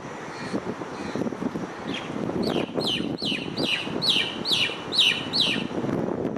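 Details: A starling perched on an electric wire gives a quick series of about nine sharp, high, downslurred whistled notes, roughly two per second, over a steady low rumble of wind or distant traffic.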